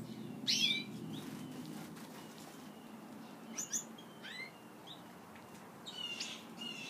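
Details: Captive Gouldian finches feeding on a favourite food: one sharp high chirp early on, then a few softer scattered chirps over a constant low hum of room noise.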